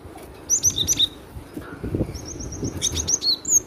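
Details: Cinereous tit giving loud, high whistles, first a rapid cluster of sliding notes, then a thin evenly spaced series and more downslurred whistles, over low rustling noise.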